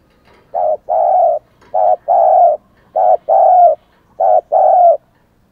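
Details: A spotted dove kept as a decoy coos to call wild doves: four even phrases, each a clipped coo followed by a longer, slightly falling one, repeated roughly every 1.2 seconds.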